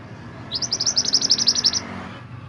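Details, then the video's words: Mantenan gunung singing, kept as a master recording for songbird training: one rapid, dry trill of about twelve high, evenly spaced chips lasting just over a second, against faint low rumble. "Suara Kicauan Burung Mantenan Gunung"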